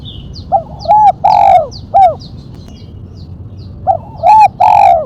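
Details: Spotted dove, 'mercik' song type with one sharp 'kuk', for luring and training: two repeated phrases of quick paired coos, a long drooping coo and a brief final note, over faint high chirping of small birds.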